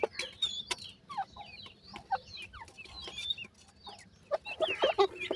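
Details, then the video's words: High twittering from grey francolin chicks at feeding time: overlapping short, bending peeps with sharp clicks, and a louder burst of mixed calls near the end. "gora francolin chicks feeding,teetar ki boli"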